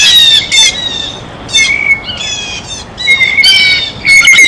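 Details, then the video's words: Blue jay observed eating at its feeder, sending out scattered loud nasal squawks singly and in pairs, separated by short quiet gaps, with a thin high whistle in the background. "El SONIDO DEL BLUE JAY (Arrendajo Azul)"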